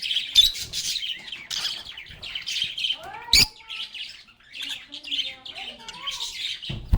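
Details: Singing and playing lovebirds give rapid high twitters and squawks, then a few clear lower whistled notes rising and falling before the chatter resumes.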